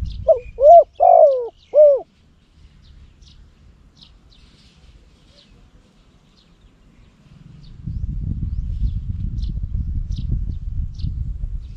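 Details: Spotted dove used as a decoy bird for luring in Cambodia, noted for its big, strong voice; one short phrase of three hooting coos opens the recording, then quiet with a low rumbling background and faint high chirps.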